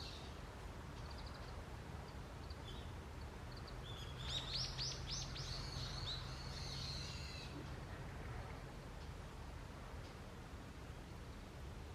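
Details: Wild forest birds at dawn in early autumn: after scattered faint high notes, a quick run of sharp, rapidly repeated chirps lasts about three seconds, with a low steady hum and background hiss throughout.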